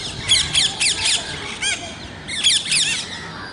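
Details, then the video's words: Parrot calls in a natural setting: harsh, broadband squawks repeated in quick bursts, several notes per second, with a short pause midway before another run of rasping calls. "Natural Parrot Voices"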